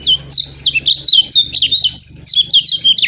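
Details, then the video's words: A Lemon-bellied White-eye, a loud, steady tutor song for training lazy-singing birds, gives a short but dense, fast, run-on twitter of high, sweet, down-slurred notes, about four per second, over a faint low hum. "TERAPI BURUNG KECIAL KUNING"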